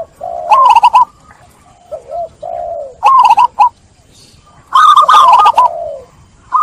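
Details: Zebra dove song used to coax trap-stressed doves back to cooing: bursts of rapid rolled coos, each ending in a lower sliding tone, with softer short notes in between.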